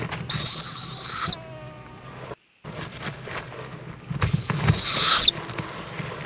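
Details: Evening at an owl nest in Indiantown, Florida, in February 2014, the mother bringing a bug to her chick; two harsh, hissing shrieks about a second long with a thin whistled edge, separated by quieter rustling.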